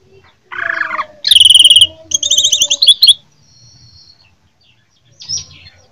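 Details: Jember greater green leafbird, Indonesia, in fighting song: a low warble, then two fast ringing rattles of rapid repeated notes, a quiet pause and one short final note.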